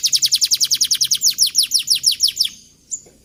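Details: A young canary sings a model song for training others to deliver long rolls. It gives a fast, even trill of bright descending whistles, roughly seven a second for two and a half seconds, then one short note after a pause.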